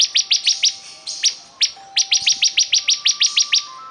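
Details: Highly vocal bar-winged prinia pouring out an almost unbroken chain of quick, sharp, high notes, with a faint steady tone in the background.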